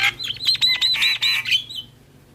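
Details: Javan myna in full, lively song while nodding, used to lure and tutor starlings: a rapid series of loud, sharp chattering whistles and clicks for about one and a half seconds, then fading out.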